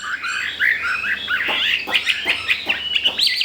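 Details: Chinese hwamei, a newly arrived bird four days in and already wanting to breed, sings a rich varied phrase of slurred whistles around mid-high pitch, interspersed with sharp downward notes, fairly continuous.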